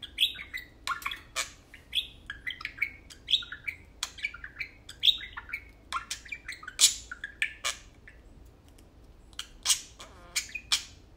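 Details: Tame parakeets playing and chattering at home: repeated warbled chirp phrases and dry clicks in an uneven rhythm, tapering into sparser ticks toward the end.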